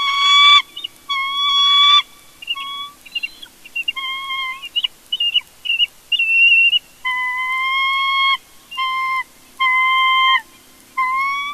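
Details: Bald eagles at a Big Bear nest during a family conflict, filmed by a live nest camera: loud, clear whistled notes with bright overtones, some long and level, others short and chirping, given in quick series separated by brief pauses.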